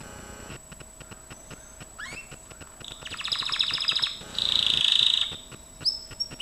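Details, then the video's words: Gloster canary training song. After soft clicking background, the bird delivers a rolling buzzy trill, then a loud sustained high rattle, then short rising chirps. "Kenari gloster,GLOSTER CANARY SINGING"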